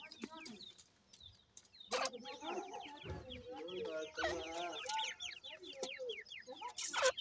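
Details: Grey francolin chicks and parent: busy high, downslurred peeps mixed with warbling mid-pitched clucks, interrupted by loud rustling or knocking bursts.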